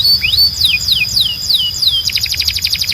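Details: Timbrado canary training song: a rising whistle, then slow drooping slurs repeated about every third of a second over a sustained high tone, switching to a rapid chattering trill.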